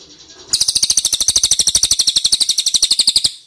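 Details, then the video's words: Lure call of the ashy tailorbird, played to make birds respond: a loud, steady trill of sharp high notes, about nine per second, lasting nearly three seconds after a faint start. "PANCINGAN CILILIN DIJAMIN NYAHUT!!"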